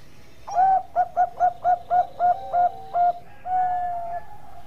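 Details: A Bangkok-type zebra dove sings as a tutor for other birds: a brisk series of about ten clipped, bell-like coos that slow toward the end, closing with a long, level, drawn-out note.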